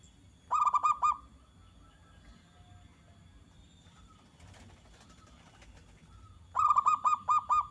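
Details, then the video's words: Perkutut (zebra dove) song meant to make other doves reply at once: a quick burst of clipped cooing notes opens, about five seconds of near silence follow, and a second rapid burst closes. "Suara perkutut gacor NEMBAK TAJAM ini AMPUH agar MENJADIKAN burung perkutut gacor LANGSUNG NYAUT"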